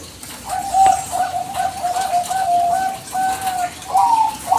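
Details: Singing Bangkok-type zebra dove recorded as a lure to provoke answering birds: a continuous chain of gentle, low, evenly pitched coos, rolling quickly, ending with a slightly higher, brighter note.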